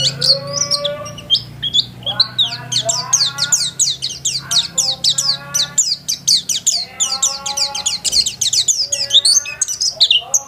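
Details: White-eye kept in a home, singing continuously: long dense chatter of very high, quick down-slurred chirps, with lower harmonic notes woven underneath and a steady low hum.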